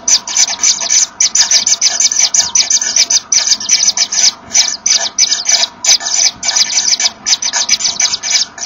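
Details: Common Kingfisher nest, 24 August 2013 at 14:01: the male gives way to the female carrying a small fish, and the pair blow at each other to locate one another. Dense, raspy hiss bursts follow in quick, uneven succession.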